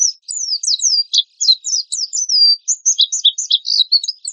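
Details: Oriental white-eye in a lively, rough-burst song, used for luring and training songbirds: a dense, tumbling twitter of high, slurred, whistled notes that rise and fall with barely a break.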